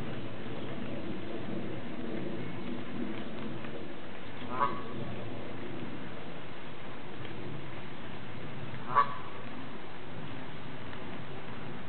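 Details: A female Canada goose, a protected pet fond of her keeper, approaches to voice her woes, giving two brief honking calls roughly four seconds apart against constant low-pitched background noise.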